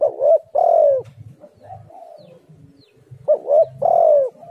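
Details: Tekukur (spotted dove) calling to lure others into song. Two matching loud phrases about three seconds apart, each a quick double coo and a long descending coo, with soft cooing in between.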